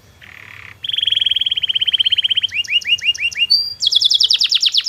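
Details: Long canary training song meant to make other canaries reply: a soft buzzy burst, then a rapid even trill of rising notes, a run of swooping chirps, and a high fast rolling trill at the end.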